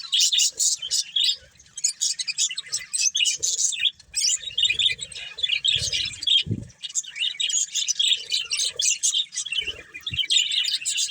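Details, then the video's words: Breeding pair of budgerigars in continuous chirping chatter, fast scratchy twitters and high squeaks with short gaps, plus occasional soft thuds and rustling. "Cute Budgies Chirping Sounds | Love Birds Breeding Pair"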